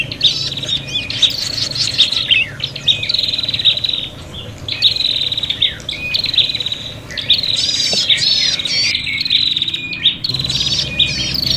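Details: Agitated prinia calls used to lure birds, sounding like a fight: long high buzzing trills in bursts of about two seconds, with short gaps and a few twangy slurred notes. A faint low hum runs underneath.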